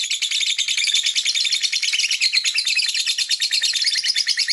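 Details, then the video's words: Lovebird chirping and singing: a fast, continuous stream of high, shrill chirps, about a dozen notes per second, with little variation and no pauses. "This Lovebird Singing and Chirping sound"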